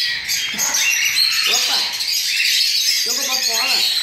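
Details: Cockatiel chicks that recently left the nest beg during hand-feeding with steady, harsh, high rasping. A person speaks briefly over the chorus twice.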